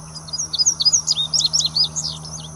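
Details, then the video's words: Indigo bunting, a second-year male, singing in West Baton Rouge Parish, Louisiana, on 8 May: high, clear, paired notes in rapid succession, some rising, some dropping, the phrase running about two and a half seconds above a low background drone. "Indigo Bunting SY male singing"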